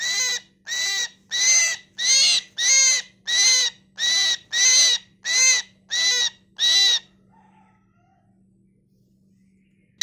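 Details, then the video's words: Myna giving loud, harsh, buzzy calls repeated about every half second, eleven even bursts over seven seconds, then quiet with a faint low hum. "Mynah Sound#original Sound"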